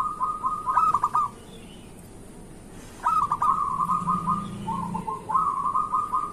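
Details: Local zebra dove singing, used as a morning lure to prompt other zebra doves to sing: rapid staccato cooing notes strung into short rolling phrases, a pause, then three more bursts, with a faint low hum beneath.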